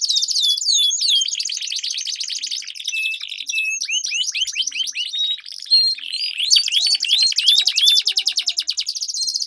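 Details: Two canaries dueling in long rolling song, used to train silent competition birds: dense rapid trills and sweeping whistled notes, loud and continuous, shifting into chattering rolls and bright repeated slurs toward the end.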